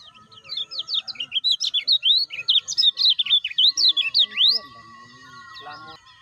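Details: Lemon-bellied white-eye lure, kecial kuning, for caged birds not yet calling: about four seconds of quick, loud, high slurred chirps closing with a steep upward note, then quieter scattered sounds and a steady hum.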